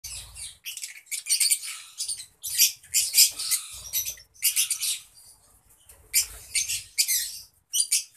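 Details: Lovebirds in a colony: dense, high-pitched squeaky chattering from many birds in overlapping bursts, with brief pauses and some low thumps.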